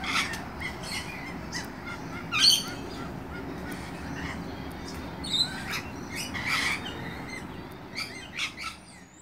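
Lorikeets give harsh, screechy chattering calls in irregular bursts, with the loudest outbursts near the start and middle, over a steady low background hum.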